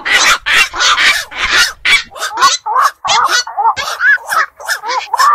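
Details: Black-crowned night herons calling at night around fish enclosures, ponds and beels: bursts of harsh squawking give way to shorter, more tonal bent notes, repeated quickly by several birds.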